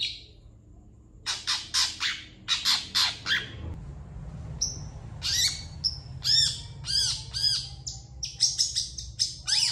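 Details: Long-tailed shrike master song for teaching other birds: clusters of harsh rasping notes, clear whistled slurs, and looping, ringing phrases, separated by short gaps.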